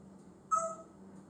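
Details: Pet male African grey parrot, said to love talking and mimicking many noises, gives one brief clear whistled note, flat and slightly falling, with a faint lower tone alongside, against a low background hum.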